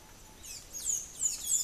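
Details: Scaled piculet (Picumnus squamulatus) between Barinitas and Miraflores, Barinas, Venezuela, on 28 April 2016, giving very high, thin, squeaky notes, slurring downward, three stronger ones spaced about a third of a second apart, over faint background hiss.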